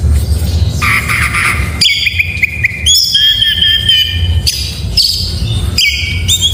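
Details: Oriental magpie-robin in morning song, a harsh scratchy phrase followed by long level whistles, quick repeated notes and loud upslurred whistles, delivered in varied bursts over steady low background noise.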